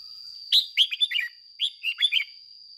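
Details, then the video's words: A trained decoy red-whiskered bulbul delivers two brisk phrases of bright, bubbling, up-and-down notes in quick succession, each lasting under a second, against a steady high whine. "Luyện chào mào mồi hót ché căng - Ép chào mào hót sáng"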